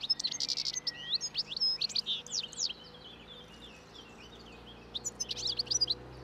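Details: Breeding song of a wild European goldfinch feeding on leftover thistle seeds along a Turkish roadside in late winter; rapid jangling chirps and buzzy twitters, a pause of scattered notes, then another tinkling burst.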